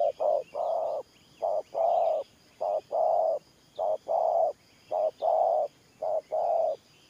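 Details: Cooing spotted dove kept as a decoy, Thổ Pha coo style: a regular series of low two-part coos, a short note leading into a longer resonant one, with light background bird twitters.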